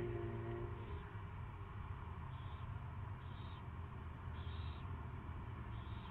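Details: Owl at its first feeding, recorded 24 February 2016 at 2:15 PM: five short, high, hissing screeches spaced about a second apart, over a constant low rumbling hum.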